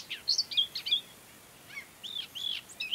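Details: Common whitethroat in mid-May, Ona Island and Hustadvika, Norway: short scratchy chirps and slurred high notes in two quick clusters, separated by a brief pause.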